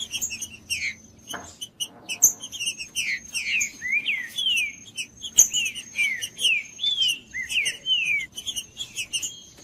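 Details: Green-winged saltator singing, played to warm up a cold bird and stir it to sing, a bird favoured for singing tournaments: after a quiet start, a fast run of clear, slurred, downward-sweeping whistles over a faint steady high tone.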